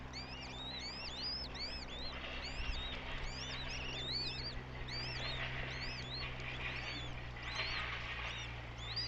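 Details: Goshawk nestlings in Tartu, Estonia, recorded 9 May 2025: many high, thin whistles, each arching up then down, tumbling over one another in a continuous squeaky chorus, with a constant low hum underneath.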